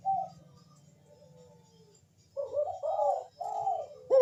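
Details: Puter (Barbary dove) bekur coo used as a lure to get birds singing: one early coo, then a quiet stretch with a low hum, followed by a burst of rolling, wavering coos in the second half.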